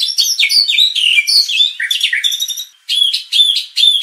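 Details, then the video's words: White-rumped shama song used as a lure to agitate contest birds into unloading their repertoire; rich, varied high whistles and slurred descending notes in quick succession, a short pause, then a bright repeated phrase three times. "MURAI BATU BIKIN RAME | pancingan murai batu agar emosi bongkar isian"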